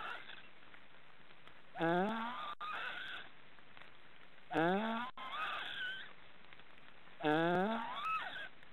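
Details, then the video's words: Snoring of three young black storks in a forest nest in Estonia: three nasal, rising calls about every three seconds, each followed by a wavering, higher whine, over constant background hiss. "Black storks are snoring"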